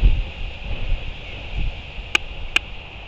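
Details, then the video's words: On the morning of 31 May 2023 at its nest, a royal albatross snaps its bill at a Black-backed (Kelp) Gull scavenging dropped food: two sharp, dry clacks about half a second apart over steady wind rumble. "Royal Albatross Clacks At Scavenging Black-backed (Kelp) Gull"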